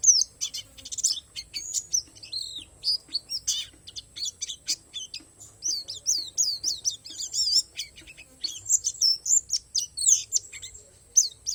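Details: Oriental white-eye, palas Borneo, in a long, busy song filled with wild-learned motifs: very high rapid chirps and slurred twitters in dense bursts, briefly pausing before resuming.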